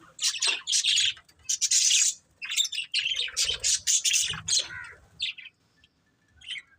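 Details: Chirping budgerigars from a breeding pair, a run of quick, grating high notes and warbles for about five seconds, then quiet with a few stray chirps.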